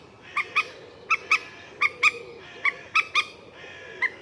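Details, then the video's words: Common moorhen, a wetland bird of ponds, lakes and marshes, gives sharp, nasal kek notes in quick pairs about every three-quarters of a second, over a low steady background murmur. "Moorhen Bird Sound | Beautiful Calls & Sounds of the Common Moorhen"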